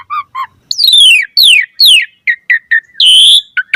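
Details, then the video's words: Asian pied starling in vigorous, richly varied song used as a lure for other starlings: two short low chirps, then steep descending whistled slurs, quick clipped notes and a sustained buzzy high note before more short chips. "Suara Jalak Suren Gacor Full Variasi Materi Ocehan - Pancingan Burung Jalak Gacor Full Isian Mewah"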